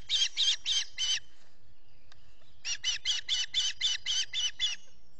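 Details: Wild osprey at its nest in New York's Finger Lakes, early morning in June 2021 during chick feeding, caught by a solar-powered nest camera: a quick run of four piercing chirps, a short pause, then about ten more in rapid succession.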